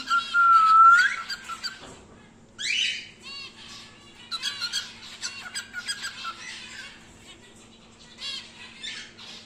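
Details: Home-bred normal grey cockatiel, a wild-type pet five to six months old, gives a short rising whistle, then harsh squawks and a run of rapid scratchy chattering notes, ending in scattered chirps over a faint background hum.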